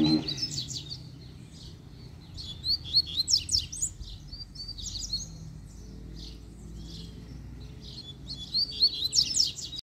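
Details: Kept double-collared seedeater, handled while loose, giving bursts of high, scratchy, twittering song phrases separated by short pauses over a steady low background hum.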